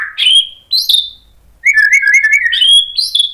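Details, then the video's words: Short passage of white-rumped shama song for provoking other shamas: two bright rising whistles, a pause, then a fast chattering trill followed by a clear high whistle. "KICAUAN MURAI BATU bikin NYAUT EMOSI jadi BUNYI GACOR NGEPLONG BONGKAR ISIAN | PANCINGAN MURAI"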